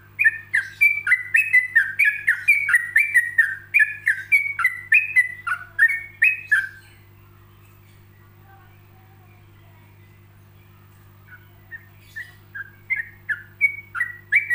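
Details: Relaxed ropelan song of a yellow-vented bulbul, paced with pauses so other bulbuls can learn it. About twenty rapid bubbly whistled notes in roughly six seconds, then a long silence, then another run of notes, over a steady hum.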